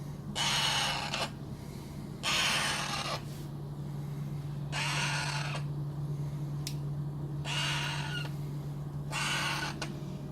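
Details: Young Alexandrine parakeet during hand feeding, repeating broad, hoarse squawks nearly a second long about every two seconds, five in all, against a steady low hum indoors.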